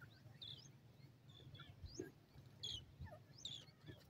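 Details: Francolin (dakhni teetar) chicks calling: thin, high, short chirps and slurred squeaks in scattered bursts, some doubled, over a steady low rumble of background noise.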